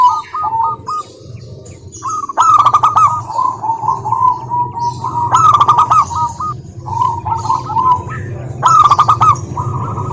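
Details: Lure song of local wild zebra doves: repeated trilled, bubbling coo phrases at mid pitch over a constant low rumble, punctuated by several sharp clicking bursts.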